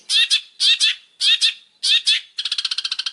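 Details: Harsh scratchy double notes from a champion Long-tailed shrike, repeated about every half second four times, then a fast even rattling trill, on a master recording for training birds.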